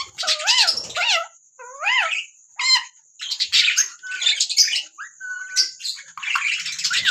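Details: Ringneck parrot giving harsh, screechy calls with rising-and-falling nasal notes in quick bursts, over a faint steady high hiss.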